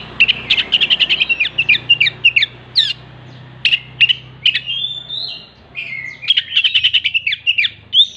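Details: Oriental magpie-robin singing loudly, with mimicry of a hen clucking after laying in its repertoire: rapid bursts of high, sharp chattering notes and some slurred whistles, over a steady low hum.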